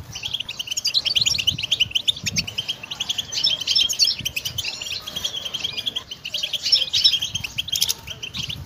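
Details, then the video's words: Goldfinch singing for song training, a continuous rapid run of tinkling, high chirps and twittering trills with irregular rhythm, over a soft low background rumble. "Song Goldfinch Training"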